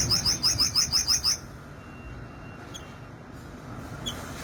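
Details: Olive-backed sunbird delivering a short, rapid, high trill of evenly repeated notes, followed by quiet background noise and a few faint distant chips.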